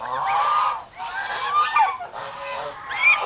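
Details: Protective domestic geese in the Philippines let out long, strained nasal honks, some sliding upward, in three close waves.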